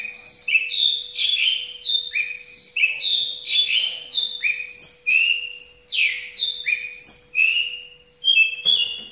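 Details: Captive Javan bush lark singing an 'ambulance' style song, high and low slurred notes swapping in a steady two-tone pattern, climbing higher near the end before a brief pause.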